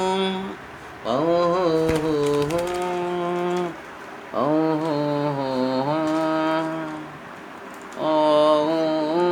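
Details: Sustained melodic chanting phrases with light background patter are heard, but no animal calls.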